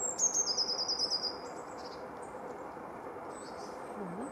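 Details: Eurasian blue tit singing in winter 2018-19 at Anglet (64), France: high, crystalline notes descending in pitch and speeding into a rapid trill lasting about a second, followed by quiet background with faint distant chirps.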